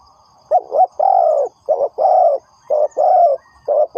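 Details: Spotted dove calling as a trapping lure. Deep cooing phrases alternate a brief double-pulsed note with a long, even coo, three pairs in quick succession over a quiet background with a thin high hum.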